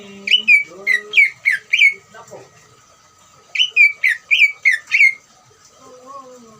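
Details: Greater green leafbird ngeriwik trill, used to provoke other leafbirds to sing: two runs of five or so sharp, downward-slurred whistles about three per second, separated by a pause, with faint low murmuring beneath.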